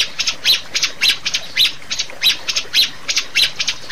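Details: Rio-rio bird giving harsh, scratchy high-pitched notes in quick bursts, about two every second, in an uneven chattering run; the recording is used to train and prompt caged rio-rio birds to sing.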